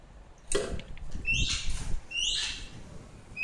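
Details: Rescued adolescent female black-shouldered kite (Elanus axillaris), eyes still yellow, exploring a living room indoors, giving harsh, rising, screechy notes about one every second, with soft thumps and rustling nearby.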